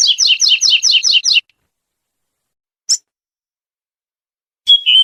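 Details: Wild double-collared seedeater singing the pure tui-tui song type, prized by breeders as purer and more melodious: a quick series of about eight doubled, buzzy high notes, then silence, one isolated sharp note and a final whistled phrase.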